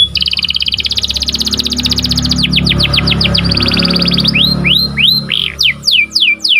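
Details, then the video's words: Canary singing a sharp rolling song used for training canaries and triggering singing in breeding birds: fast even trill, then quicker sweeping notes, ending in loud rising-falling whistled slurs; low hum beneath. "KICAU BURUNG KENARI || KENARI CUIT CUIT NGEROL TAJAM"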